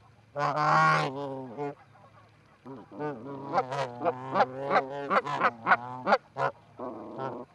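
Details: Canada geese, two birds visiting an osprey nest at Charlo, Montana, 4-7-18, on a livecam: one long loud honk, then a quickening series of short honks over a faint steady background hum.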